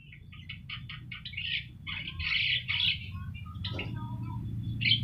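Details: Yellow-eyed Javan myna singing actively, used as a training recording for other birds; short bursts of harsh, squeaky chatter alternate with pauses, with a steady low hum underneath.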